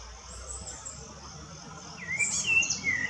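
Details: A rufous-bellied thrush singing in woodland in Brazil gives one short, fluted whistled phrase that dips and rises, over a steady high insect hiss.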